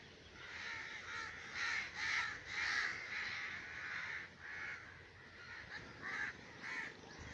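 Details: Common raven calling in breeding season, a run of raspy caws that swell in loudness early then continue as softer, shorter croaks toward the end.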